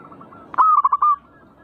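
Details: Perkutut, the zebra dove, in a singing phrase used to stir birds into song: one abrupt starting note, then four rapid soft rolling coos and a drawn-out final trill, over faint low hiss.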